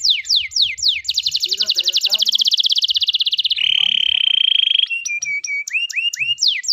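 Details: Canary singing a lively, loud song used to prompt young canaries that are learning to sing: fast descending whistled sweeps, a long rapid trill, a steady buzzing note, then repeated downslurred chips.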